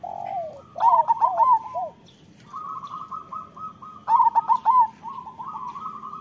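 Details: Local Indonesian zebra doves (perkutut lokal) singing actively: loud bursts of four to five quick, bouncing, ringing coos near the one- and four-second marks, with softer mellow coos and a fast rattling trill filling the gaps.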